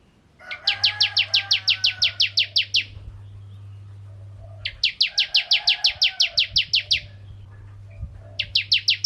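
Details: Bar-winged prinia (ciblek kristal) singing as bait for other prinias: three bursts of rapid, sharp repeated chirps separated by short pauses, with a faint harsher sound underneath the first burst and a low hum.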